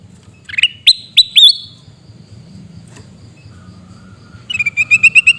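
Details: Sooty-headed bulbul shouting in Mutiara district, Pidie, Aceh: three or four piercing upslurred notes, a pause, then a fast even train of about eight clipped chirps, with a low hum behind.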